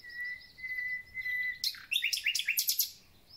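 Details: Singing thrush nightingale heralding the start of spring, bird not seen clearly: a long, steady, pure whistle, then a loud, rapid series of sharp clicking notes that stops suddenly.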